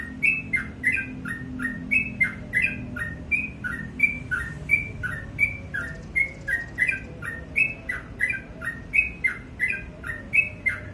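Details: A sooty-headed bulbul keeps up vigorous morning song, chirping high-then-low whistled couplets in a fast regular chain throughout, with a light low hum in the background.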